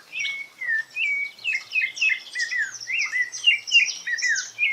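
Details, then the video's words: Wild rufous-bellied thrush in a quiet, 'timid' singing mode: rapid, rambling warbles of short downslurred whistles and scratchy chirps, several notes per second, running on without a break against near silence. "CANTO TIMIDO DO SABIA LARANJEIRA NA NATUREZA"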